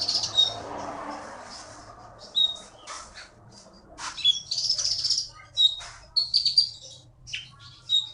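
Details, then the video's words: Wild-caught bird from the forests of Bangka, a contest winner in Bangka Belitung, giving scattered sharp chirps and squeaky notes amid rustling noise. "KEETY BURUNG JAWARA FULL GACOR"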